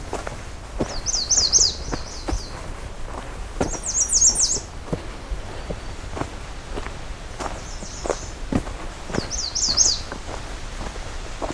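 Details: A male American Redstart, one of a couple along a forest hiking trail in the breeding season, sings four brief, very high, thin phrases of quick zigzag notes a few seconds apart, over steady footsteps.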